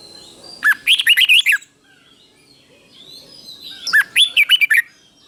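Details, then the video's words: Teacher red-whiskered bulbul giving doubled song for young caged birds to learn: two bright phrases of rapid, lilting whistled notes, each about a second long, separated by a quiet stretch. "เสียงนกกรงหัวจุก | สุดยอดนกครู เบิ้ลชัดๆ เบิ้ลเป็นคู่ๆ เสียงกระตุ้นนกรงหัวจุกเสียงนกครู chao mao"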